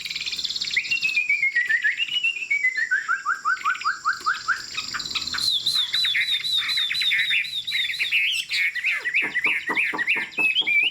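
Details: Tame Chinese hwamei with a fig-leaf tail, singing from a high perch; loud slurred whistles sweep up and down in a wavering series, then rise to a high sustained run and break into rapid, sharp repeated notes.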